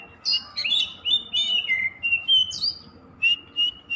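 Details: Kacer, or Oriental magpie-robin, singing a quick string of whistled and scratchy notes, with a rising upslurred whistle midway and spaced steady tones at the end.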